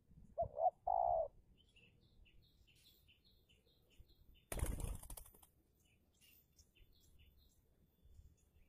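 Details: Spotted dove decoy in an Indonesian luring contest gives one brief phrase of two short coos and a longer note, then a loud burst of wing flapping follows, with faint repeated high chirps in the background.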